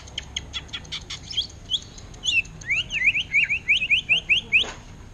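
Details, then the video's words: Greater green leafbird singing in the orange-headed thrush style known as ngentrok: scattered sharp ticks, then a run of about ten clear, downslurred whistled notes repeated quickly and evenly. "Cucak Ijo Ngentrok Gaya Anis Merah"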